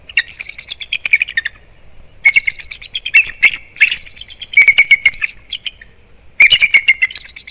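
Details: Wild bald eagle pair alerting at something to the right of their Captiva/Sanibel Island, Florida nest, December 18, 2021 morning: five loud bouts of rapid, high-pitched chattering, each a quick series of piping notes dropping in pitch.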